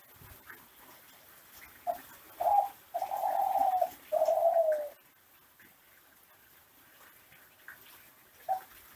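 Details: Ringneck dove, Kelantan classic song from an Indonesian breeder, meant to train other doves; brief lead notes then two long, low, mellow coos, followed by faint hiss and a short note at the end.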